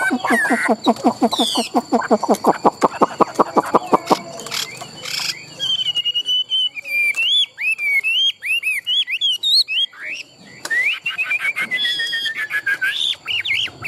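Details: Caged Chinese hwamei, a tame competition singer, in Vietnam; a long fast run of sharp clicking notes lasting several seconds, followed by clear looping whistled phrases and a descending whistled trill.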